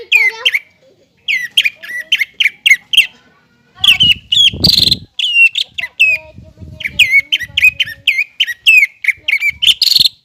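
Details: Greater green leafbird singing continuously in 'gacor' style to provoke young birds to sing: rapid, repeated hooked whistles in long strings, a scratchy harsh note, and low rumbling noise underneath.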